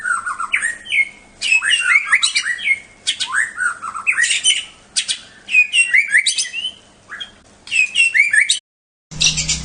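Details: Bahorok white-rumped shama, a contest bird that advanced to the President Cup, singing a loud, continuous medley of whistled swoops, trills and buzzy notes in dense bursts, ending with a short gap and a brief noisy cut.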